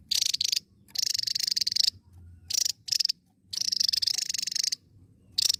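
Javan tesia giving high, buzzy, rapidly pulsed trills in bursts of half a second to a second, separated by short pauses.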